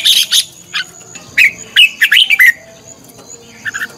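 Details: Red-whiskered bulbul decoy bird in duel song, used to stimulate singing: harsh high scratchy notes open the clip, then a fast run of bright, twisting whistled notes and a soft closing chirp.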